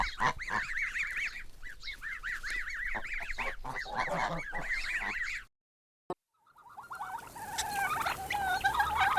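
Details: Gosling on a farm peeping continuously, with high, arched chirps repeated several times a second, then a short silence and more softer peeps with rustling noise behind.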